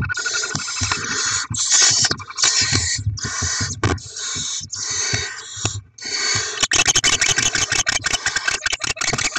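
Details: Barn owls at a nest during rodent deliveries and chick feeding, 7 February 2024: almost continuous harsh hissing screeches that run together, later broken by rapid clicks and scraping.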